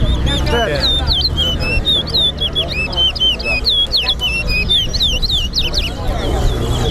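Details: Chestnut-bellied seed finches (Sporophila angolensis) at a singing competition in Lusignan, Guyana, sing a fast, continuous stream of sweet whistled notes, slurred up and down and overlapping, over a low murmur of voices.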